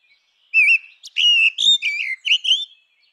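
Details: A continuous run of mellow, slurred whistles from a grey-winged blackbird, rising and falling in a smooth thrush-like phrase lasting about two seconds, in a quiet setting.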